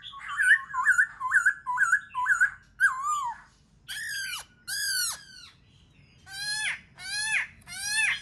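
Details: Black-throated laughingthrush singing to spur other birds into song: a quick run of six short looping whistled notes, then a series of harsh, rich downward-sweeping strokes with short pauses between.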